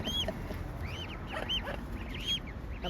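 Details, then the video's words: Mute Swan mother calling to her cygnets: a run of short, high, arching chirp-like notes repeated roughly every half second over a low rumbling background, with faint human voices nearby. "Mummy’s call ママの呼ぶ声"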